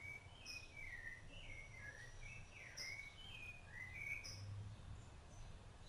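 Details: Rufous-bellied thrush singing while feeding its chicks: a series of clear whistled, slurred phrases, each rising or falling, given at a steady pace over a low rumble of background noise.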